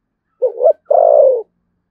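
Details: Single Thúc Gù phrase from a spotted dove with thổ sấm voice, Đồng Nai, Vietnam: two short mellow notes and one long, level-then-falling coo.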